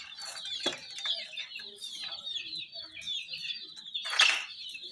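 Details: Shrill, wavering peeps from a group of chicks run on without pause, with a louder scuffle partway through, as the young birds move around small toy jeeps.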